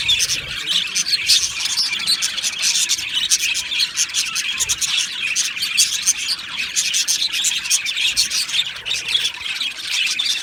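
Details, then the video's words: Two male budgerigars, Australian budgies, chattering nonstop: dense, high, scratchy chirps and warbles overlap in a continuous busy stream, with sharp clicks throughout and no pauses. "2 Male Budgies Birds Sounds | Australian Budgies Birds chirping sounds"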